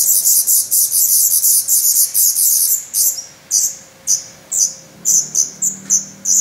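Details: Hungry, fast-growing Black Redstart nestlings in a nest in Portugal, 17 May 2020, already feathered and losing down, begging. Harsh, hissing bursts in rapid series, then spacing out and fading.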